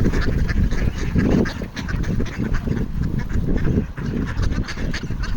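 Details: A flock of ducks on a frozen pond in Toronto, Canada, on 28 January 2025, calling for food: a dense chorus of overlapping honking, nasal calls in rapid bursts, with heavy low wind rumble throughout.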